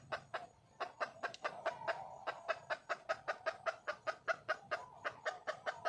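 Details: Red junglefowl hen seeking a male: after a short pause near the start, a quick run of clucking notes follows at roughly two and a half per second, somewhat irregular in spacing.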